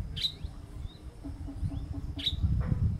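A female Burnished-buff tanager gives two thin, high, sharp chips about two seconds apart over a low rumble of background noise.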